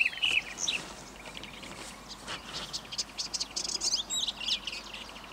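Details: A black-headed bunting at Eastriver, Skala Kalloni, Lesbos, Greece, in May 2010, gives a few short clear opening notes, then a loose scatter of higher quick chirping notes over steady background hiss.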